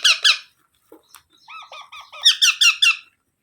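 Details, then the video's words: Baby parrot giving two loud raspy squawks, some softer downslurred squeaks, then four loud, harsh squeaks in an even row. "Baby Parrot Sounds"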